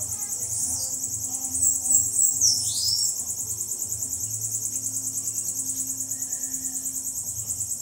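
A bananaquit gives a long, very high, hissing and buzzy song with quick downward sweeps, over a steady high insect-like drone.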